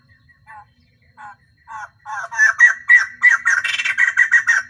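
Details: Caged female white-crested laughingthrush serving as a lure for males, singing all day. Three soft, spaced notes build into a fast, loud, harsh cackling series that grows denser toward the end.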